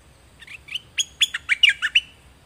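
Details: Tutor song from a pet zebra finch, meant for young birds to learn from: a rising series of sharp, nasal notes that speeds into a dense burst of buzzy syllables.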